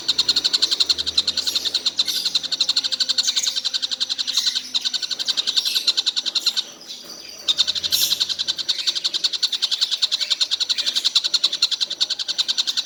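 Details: A collared kingfisher said to call all day without stopping keeps up a long, rapid chatter of harsh high notes at about three to four per second, with a short gap partway through before the series restarts.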